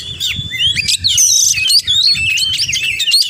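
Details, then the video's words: Oriental magpie-robin pouring out quick, varied song with mimicked elements, sliding whistles, upward flicks and a long high piping note among rapid twittering, low hum behind. "Kacer Gacor Full Isian"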